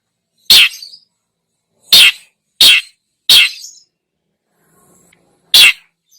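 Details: Long-tailed shrike singing actively, used as a lure recording to stir other birds: five loud, harsh, rasping bursts, each under half a second, at irregular gaps over six seconds, with no other sounds.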